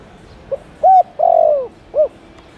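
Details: Spotted dove calling to lure wild doves: a faint starting note, a level coo, a long falling drawn-out coo, then one rounded closing coo, clear and tonal against quiet hiss.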